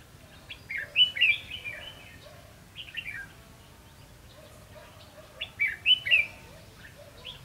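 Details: Singing-contest song of a red-whiskered bulbul used in decoy trapping, 19 July 2016: loud, lilting whistled phrases repeated in clusters, with quieter answering notes between them.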